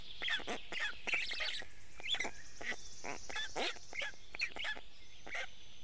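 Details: Storklets of the Black stork in an Estonian nest, fed sizeable fish by the male at 6:41 am, 29 May 2018; a steady stream of rough, rasping squeals and chatters, with background songbirds.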